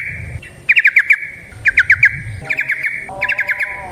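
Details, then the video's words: Yellow-vented bulbul phrase used as a lure call: short rattling bursts of rapid chirps about once a second over a low rumbling background hum. "Trucukan GACOR ngalas ROPEL PANJANG suara alam"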